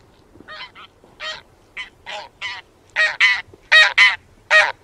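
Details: Taiga bean goose honks starting softly and growing louder, nasal harmonic notes in pairs, the last calls close and strong.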